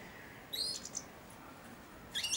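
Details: Young European goldfinch, four months old, caged and perched by the hand that feeds it daily, babbling its early subsong: a short burst of high, thin twittered notes, a pause, then another bright chirpy flourish, in a quiet room.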